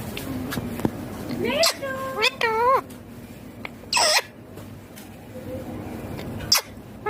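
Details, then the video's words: Green ringneck parrot kept as a pet, talking: brief wavy harmonic phrases in quick succession mid-clip, then a sharp high syllable and scattered clicks against a low room hum. "My Ringneck Green Parrot Talking Natural Sounds"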